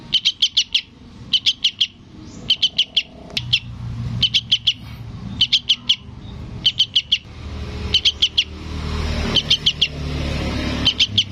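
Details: Young sooty-headed bulbul calling its parent: high, sharp chipping notes in quick bursts of three or four, about nine bursts over eleven seconds, over a low rumble of passing traffic.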